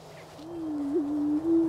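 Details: Greater prairie-chicken booming in spring 2010 in Wabaunsee County, Kansas: a low, steady hooting tone that swells in loudness with a brief upward wobble near the middle, then continues after a short dip.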